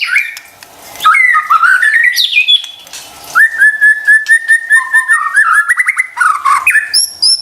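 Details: White-rumped shama lure song for caged birds that are stressed or won't sing: warbled opening, then a long sequence of short, evenly repeated whistled notes at one pitch, ending in a varied flourish.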